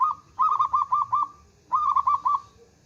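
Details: A local zebra dove in Indonesia, a female calling a male, sings strongly: a single coo, a string of five trilled coos, a pause, then four more, over a soft low background hum.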